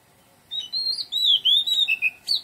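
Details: Garden song of an Oriental magpie-robin: sweet, slurred whistles rising and falling in a run of about seven notes over faint background hiss.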